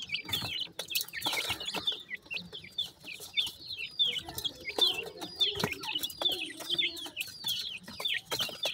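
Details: Baby Mikado pheasants feeding beside their mother in the sun, a steady run of high, down-slurred cheeps from several chicks, with scattered clicks and scuffling underneath.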